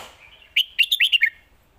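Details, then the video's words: Red-whiskered bulbul singing the 'Lak Wai' style master song: a single quick phrase of about five bright, slurred whistled notes, rising and falling, over a quiet background. "นกเสียงทอง!!เพลงลากหวาย สุดยอดเพลงแม่บท"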